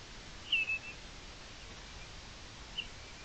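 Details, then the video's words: Common redshank, identified by BirdNET, on a Territorio Lince WWF camera in Spain, 5 April 2021, low-quality audio only: a quick pair of clear, high whistled notes, then a single whistle about two seconds later, over steady hiss. "Archibebe común"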